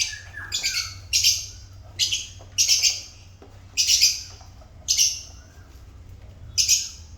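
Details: Pet African lovebirds chirping: shrill, raspy notes in quick doubled bursts about every second, over a low constant hum.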